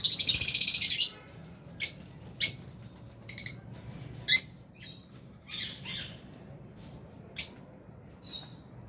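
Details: Lovebirds kept in an aviary, albino and Fisher's birds together, with a harsh buzzy chatter at the start, then a string of sharp, piercing high chirps at irregular gaps of about a second.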